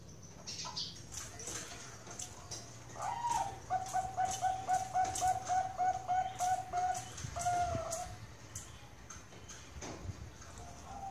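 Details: Zebra dove (Bangkok perkutut) at a bird farm in Central Java: a rising lead note and a rapid run of clipped coos in the middle, then a longer note, amid clicking, knocking and other background sounds.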